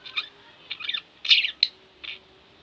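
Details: A few short, high chirps and scratchy squeaks from two pet budgerigars at home, spaced out with quiet gaps.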